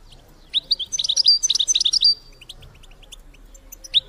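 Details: ['Female European goldfinch call for stimulating males to mate: a loud two-second burst of quick, bright chirps and liquid twitters, followed by sparse quieter notes and a final sharp chirp.']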